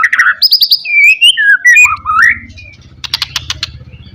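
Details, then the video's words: White-rumped shama lure song ('pastol' style) used to rouse rivals: bright whistled phrases, quick repeated high notes and slurred rising notes, then softer chips over a low humming background. "SUARA BURUNG MURAI BATU, PANCINGAN MURAI BATU PASTOL NGOTOT MEMBANGKITKAN EMOSI LAWAN"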